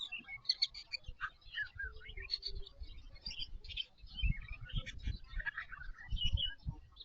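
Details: White-rumped shama singing in a semi-natural aviary, filmed by an installed IP camera: varied whistled and warbled phrases between 1 and 5k, quick slurred notes, over steady low rumbling and thumping noise.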